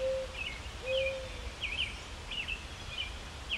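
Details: Mourning dove cooing in a maple tree: low, soft hooting notes, a brief first note followed by a longer, steady one, while small birds chirp higher-pitched in the background.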